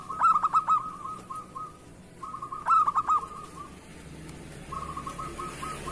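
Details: Local zebra dove in full song, kept as a lure bird: bursts of rapid, bubbling coos, each trailing into a soft rolling trill, with the phrase repeated three times and quieter gaps between.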